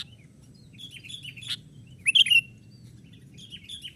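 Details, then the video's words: Young sooty-headed bulbul playing on twigs, used to lure wild birds; faint high chirps and a buzzy note, then one loud, sharp, bent whistle burst midway, with soft chirping after and low background hum. "Pikat kutilang muda main ranting"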